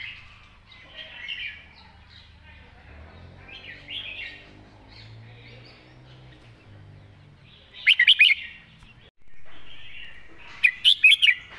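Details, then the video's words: Master-style song of a red-whiskered bulbul, phrased smoothly: two sharp four-note chirping bursts late on, the second following about three seconds after the first, over faint twittering from other birds and a brief pause. "นกกรงหัวจุก"เพลงแม่บท เดินสำนวนสวย"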